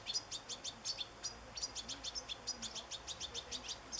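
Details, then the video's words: Out in nature, a European goldfinch delivers rapid, sharp, tinkling chirps in a steady stream, each note quick and high, with a faint low sound underneath. "صوت حسون في طبيعة"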